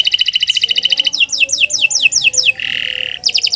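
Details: Canary singing a varied song meant to train other birds: a rapid trill, a set of falling whistled sweeps, a flat buzzy held note, then another short trill.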